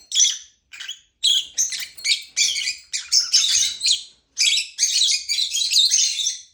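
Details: Lovebird chirping in rapid, scratchy, high-pitched notes, loose at first and then running into a long unbroken chatter near the end.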